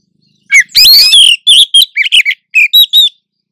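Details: A female Oriental magpie-robin (Copsychus saularis) in breeding condition calls to lure a male, the two answering each other: a quick run of sharp, sweet chirps and short whistled notes, high-pitched and clipped, about a dozen in three seconds.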